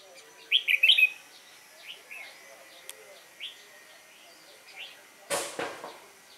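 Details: Red-whiskered bulbul recorded on 22 October 2018 gives a short, loud, rich warbled phrase near the start, then scattered soft chirps, with a brief rustling flutter late on and a man's voice nearby.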